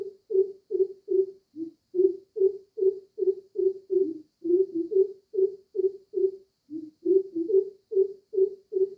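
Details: Two greater coucals outside a window give deep, hollow hoots, about two or three per second, one bird making lower, slightly different notes that overlap the other's steady series.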